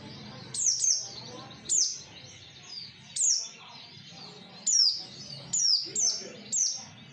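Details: Oriental white-eye lure song meant to prompt other white-eyes to answer: very high, thin notes that drop sharply, in short bursts repeated every second or so, with quiet background hum.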